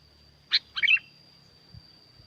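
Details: Sooty-headed bulbul, Curug Agung, Subang, West Java, Indonesia, singing lively to lure quiet birds: a sharp opening note followed by a fast, bubbling descending phrase, over a faint steady high whine and low background hum.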